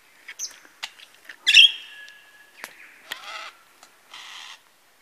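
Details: Male lyrebird mimicking various birds at Masons Falls, Kinglake National Park: scattered clicks, a loud harsh burst followed by a long level whistle, then buzzy hissing notes.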